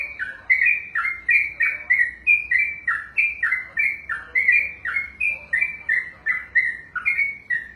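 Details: Yellow-vented bulbul (trucukan), a kept contest songbird, singing a long 'ropel' run: bubbly, liquid two-part phrases dipping and rising, repeated about one and a half times per second without pause, with no other clear sounds.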